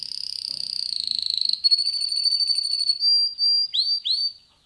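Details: Male canary song: a very high, fast trill gives way to a long thin whistle, then several clear upward-sweeping whistled notes spaced apart before the bird stops.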